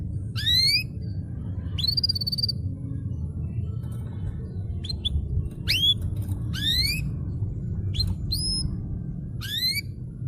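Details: Domestic canary, a lively singer used as a master recording to prompt canaries that have stopped singing: sparse, separated upward-sweeping whistled notes, some followed by short chips, over a steady low hum.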